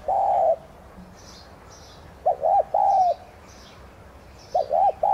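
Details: Decoy spotted dove (tigrina) kept to stimulate other doves to sing, repeating its coo: short paired notes then a drawn-out note, the phrase recurring about every two seconds, with faint high chirps of other birds.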